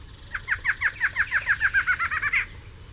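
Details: Pair of barred antshrikes in duet, a quick run of roughly fifteen hollow, nasal notes that accelerates steadily and finishes on a louder, higher final note.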